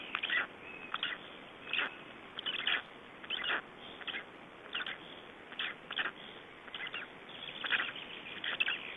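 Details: Black Stork chicks aged three days, Estonia 2012: clustered, scratchy chirping calls repeated roughly every second in short bursts, with constant low hiss between them.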